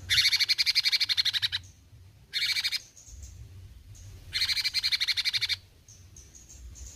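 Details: Cucak cungkok bulbul singing vigorously in besetan fashion: three harsh, fast-pulsed rattles, long, short, then long, separated by pauses filled with faint high ticks.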